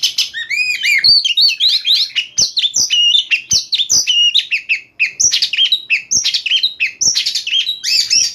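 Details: Night-time Oriental magpie-robin song delivered in an energetic 'nyembur' burst: fast, tumbling sequences of bright whistles, chirps and sweeping slurred phrases pour out almost without pause, with crisp clicking ticks recurring about once a second.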